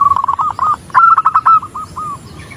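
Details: Female zebra dove calling a male: a quick run of rolling, warbling coos, then a second rapid burst that trails off into slower, softer separate notes.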